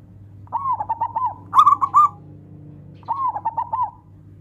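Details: Song of a local zebra dove, meant to call rivals into singing; a gentle bubbling coo, three trilled phrases close together, over a low steady hum.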